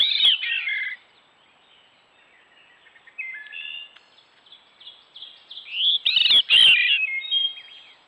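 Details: Gray catbird recorded by trail camera on a wooded stone wall in Strafford County, New Hampshire: jumbled run of squeaky, scratchy phrases, loud at the start, quieter in the middle, then harsh bursts with clicking knocks.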